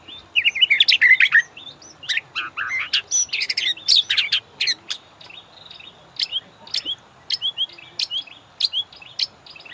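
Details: White-rumped shama song used as a master recording to train caged birds: a rapid, varied string of sharp chirps, upswept whistles and short trills, with brief gaps between bursts.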